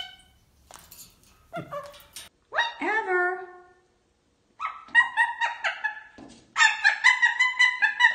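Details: Male pet cockatoo vocalizing at home in speech-like bursts: rising and falling harmonic syllables, one drawn-out wavering note, then a fast string of clipped, evenly paced calls.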